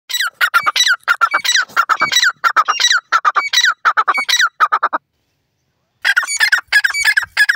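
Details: Partridge chicks (teetar) racing about, giving loud, harsh, rapid squawking notes in fast irregular bursts of about three per second, a short silence, then another quick run of rasping calls.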